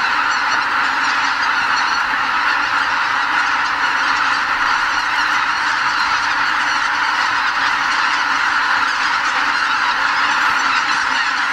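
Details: Spring migrants at Lake Miyajimanuma, Bibai, Japan: an enormous flock of greater white-fronted geese lifting off the roost before dawn; dense, ceaseless honking chorus holding an even loudness throughout.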